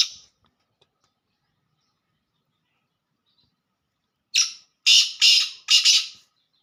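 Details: Black francolin calling in pure laka style: after a long silence, four harsh grating notes in quick succession, the last pair nearly run together.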